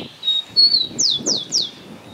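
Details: Rufous-collared Sparrow singing beside a roadside near Santa Catalina, Córdoba, Argentina, in 2022: two thin, level whistles, then three quick sharply falling slurred whistles about a third of a second apart, over a faint low rumble.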